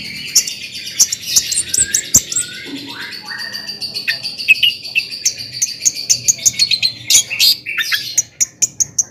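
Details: Long-tailed shrike with varied, excited song used to make other shrikes sing; dense warbling and trilled notes, a sustained high thin tone in the middle, ending in rapid sharp ticks.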